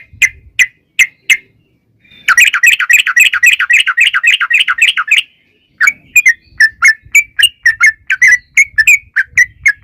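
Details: Sooty-headed bulbul singing a lure song meant to provoke a bird into singing: spaced sharp notes, then a fast buzzy chattering trill of about three seconds, followed after a gap by quick repeated chirps.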